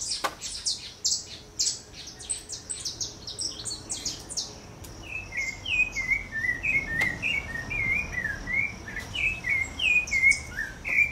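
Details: Rufous-bellied thrush (Turdus rufiventris) singing freely in a backyard: an opening burst of thin, high twittering, then a run of short, clear whistled notes rising and falling in quick succession; song.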